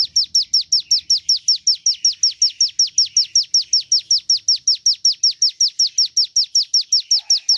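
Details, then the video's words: Javan tesia in full, lively song for prompting other birds: a long, very regular string of high-pitched downward-slurred notes, roughly two and a half per second. "Lagu asli ciblek gunung"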